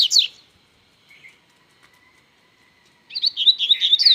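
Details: A Double-collared seedeater sings strongly. A short burst of high chirps comes first, then near-silence with faint notes, before a rapid, warbling string of high, wavering notes runs to the end.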